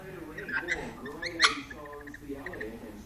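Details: Male pet lorikeet dancing and chatting to himself in a mirror: wavering, voice-like warbles broken by one sharp screech midway, with faint background talk.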